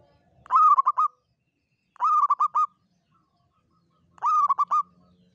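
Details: Zebra dove, a local lure bird for trapping, sings three separate phrases, each a rising opening coo followed by three or four quick dipping kuk notes, about two seconds apart, in near silence.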